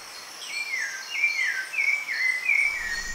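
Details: Rufous-bellied thrush (sabiá-laranjeira) from Paraty, Brazil, a ground-foraging bird whose song is heard in spring: clear, fluty whistled phrases, each sliding and wavering, about one every second, over soft background hiss.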